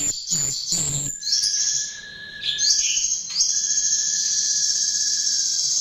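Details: Lure recording of chestnut-tailed starling song: a few harsh rasping bursts, then a long, steady, high shimmering trill with a thin whistled note running beneath it and a brief swooping slide in the middle.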